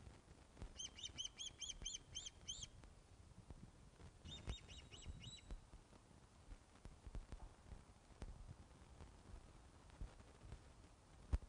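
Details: Osprey calling at the Loch of the Lowes nest as fish is delivered, 21 August 2012 in the afternoon: a rapid string of thin arched whistles, a pause, then a shorter string, softer against constant low hiss and occasional taps.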